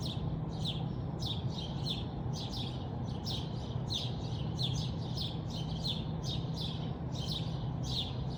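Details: Morning birds at a house in Bridgeland, Calgary, Alberta, Canada, giving quick high chirps in an unbroken repeated series, about two per second, on top of a loud, steady low-pitched hum.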